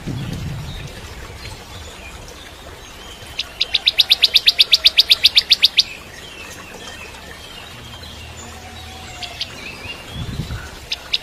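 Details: Bar-winged prinia, the crystal type, used as a training song for magpie-robins, gives a quick series of about twenty high, sharp chips over two seconds, with scattered faint high notes before and after.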